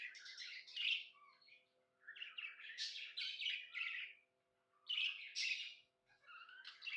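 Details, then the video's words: Cheerful pet budgie chirping in distinct bursts of scratchy, twittering notes separated by brief silences, the phrases grating and high, with a soft background hum. "Happy budgie chirping sounds"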